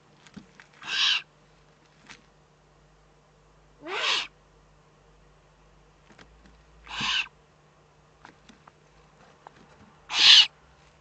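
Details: Four sharp, hissing rasps, about three seconds apart, from a Eurasian eagle-owl in the Eifel on 3 May 2014; the second is a slightly lower, grating hiss. Scattered soft clicks and a low hum in the background.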